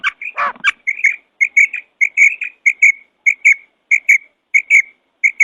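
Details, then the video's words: Female quail calling: short, high, chirping notes repeated in quick pairs and triplets, a little under two per second, after a brief harsh rasping burst at the start. No other sounds intrude. "فیمیل بٹیر کی آواز / Female Quail Sound / Urg'Ochi Bedana Ovozi"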